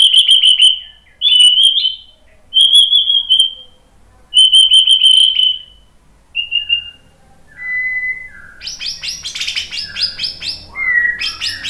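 A white-rumped shama sings rich, high whistled phrases, repeated in bursts, ending in a stretch of harsher, scratchy chatter and mimicry.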